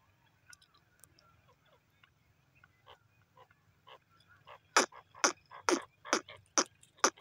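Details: Pair of francolins (teetar) calling: faint scattered notes at first, then a loud run of harsh, broad, clipped calls about every half second, over a low steady hum.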